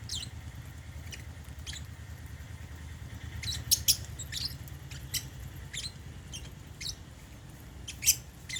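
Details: Meal time for caged African lovebirds eating holy basil: scattered high, clipped chirps, sometimes in quick pairs, over a low background drone.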